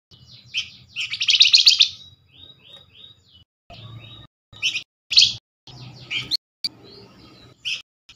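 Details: A Flamboyan lure call for quickly getting other Flamboyans to answer. A loud rasping chatter is followed by a string of short, slurred chirps and clipped buzzy notes, with soft low rumbles.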